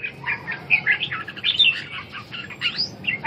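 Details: Red-whiskered bulbul in a competitive singing bout used to restore a bird's lost drive: a dense run of short, bright chirps and warbled phrases, rising and falling quickly, with faint low background hum.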